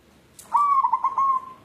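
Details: A single cooing phrase from a white local zebra dove seeking a mate: a clear low note breaks into a quick run of tremulous beats, then settles into a long, even, fading hoot.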